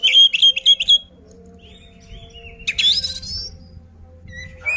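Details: Oriental magpie-robin singing a provoking fighting song: a quick series of bright repeated whistled notes, a pause with a steady low hum, then a harsh rising buzzy burst and a few soft whistles.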